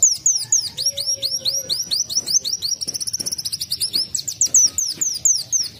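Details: Continuous canary-like singing from a sunbird, made of high, curved whistled notes, a brief very rapid trill midway, then more looping descending phrases.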